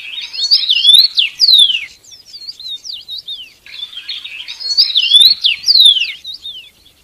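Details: Loud, close song of a red-headed bird in nature: dense tumbling phrases of warbled, slurred whistles, each ending in falling notes, two main bursts about three seconds apart with softer twitters between.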